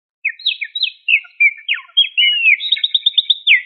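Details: Pet cockatiel whistling while playing: a lively run of short, sharp chirped whistles, rising and falling notes and quick trills in a high register, ending in a rapid series of repeated bright notes.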